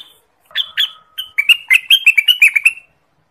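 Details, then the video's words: Song of the orange-spotted bulbul, used as a trapping lure and training master: a couple of opening notes followed by a fast, busy sequence of chirpy, bouncing notes. "suara burung cucak Wilis / renganis ampuh untuk pikat, pancingan dan Masteran"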